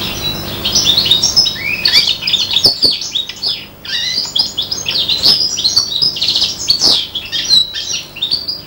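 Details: Five-month-old serin and bronze canary hybrid copying goldfinch song, pouring out rapid, jangling high chirps and fluttering trills, with a short gap near four seconds before continuing.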